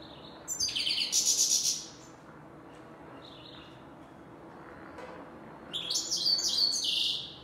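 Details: European goldfinch, of the grey-headed or black-headed form, giving its chir-chir call. Two bursts of high, twittering, tinkling notes last about a second each and are split by several seconds of quiet background.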